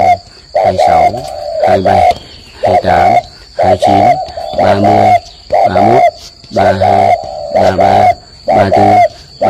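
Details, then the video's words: Spotted dove from a bird keeper's garden in Ba Vì, Vietnam, cooing in the morning during a counted bout of 45 coos. Loud, deep, hoarse coo phrases repeat about once a second in a steady rhythm, with short gaps between them. "chim cu gù dài nhất 45 cái 1 lần"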